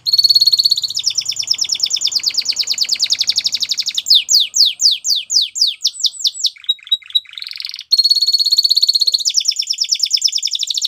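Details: Spanish Timbrado canary singing a training song: a long run of dense, high metallic rolls, then a series of falling whistled notes about twice a second, a brief pause, and fast trills again.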